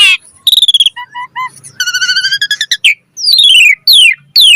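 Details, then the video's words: Asian pied starling singing a lively lure song meant to prompt other birds to sing: rich varied whistles, short paired notes, buzzy harmonic bursts, then loud slurred whistles falling steeply, repeated three times. "Pancingan Jalak Suren Gacor Mompa Variasi Suara Burung Kicau Cepat NYAUT Gacor Full Isian Mewah"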